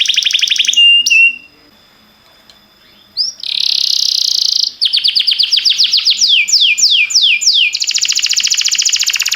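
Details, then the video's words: Canary song recorded to train canaries: a fast trill and short whistle, a pause, then a long loud buzzing tone, followed by rapid rolling notes, falling sweeps and a dense high trill. "Cantar canário faz seu canário cantar"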